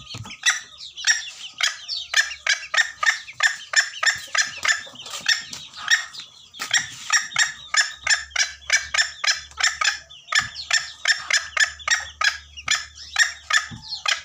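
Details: Junglefowl call used to lure birds for trapping, Gunung Kambeng: long run of harsh, rapid cackling notes, about three per second, steady and loud throughout with a faint low hum.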